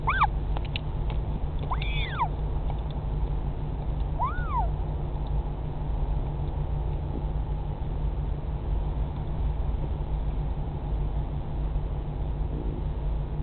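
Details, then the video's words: A northern royal albatross chick at the Pukekura/Taiaroa Head colony near Dunedin, New Zealand, in 2017, gives three short, arched squeaking whistles in the first few seconds, then falls quiet under steady low wind rumble. "Chick making noises"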